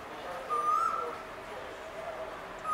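Male Asian koel giving a clear, mellow whistled note that rises slightly, with a second note starting at the end; faint high chirps of other birds behind.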